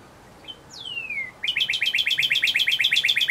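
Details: Northern cardinal, a male, gives one clear whistle falling steeply in pitch, followed by a fast, even run of short repeated slurred notes at roughly four per second against a quiet backdrop.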